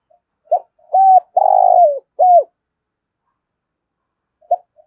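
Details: Spotted dove cooing a fast phrase of short arched notes around one long buzzy coo that sags at the end, then a brief quiet gap with a faint starting note.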